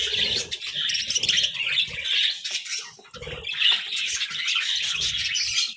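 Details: Pet budgerigars munching vegetables chirp in two bursts of loud, scratchy warbling with a quieter pause between, the high chatter mixed with lower clicks and feeding noises.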